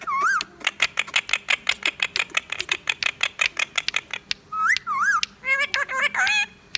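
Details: Pet Indian ringneck parakeet, a talking bird, giving a rapid run of sharp clicking chatter, then clear rising-and-falling whistled notes and warbling phrases in a small room.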